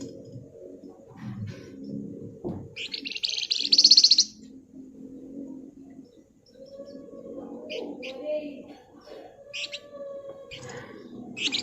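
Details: Flamboyan, a bird kept in Java, Indonesia, singing in the lively 'ngebren' style: one loud, rapid, buzzy rattling burst lasting about a second, followed by several shorter high chattering bursts over a low steady hum.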